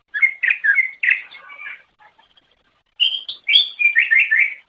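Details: Masteran song of the greater green leafbird for teaching caged birds: rapid warbled phrases of bright whistles, a short pause with a few soft notes, then a high clear note and a run of rolling slurred whistles.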